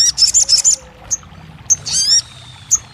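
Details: Crested jay (sogon) song, played as therapy to get a silent bird singing: short bursts of rapid, very high buzzy trilled notes, separated by brief sharp chirps and a rising whistled sweep, with a low steady hum beneath.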